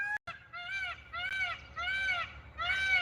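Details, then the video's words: Indian peafowl, a peacock, calling during a live broadcast: a run of four to five loud, nasal, arched calls with rich overtones, each about half a second long and following in quick succession, after a brief sharp noise. "हा मोर बोलतोय मोर"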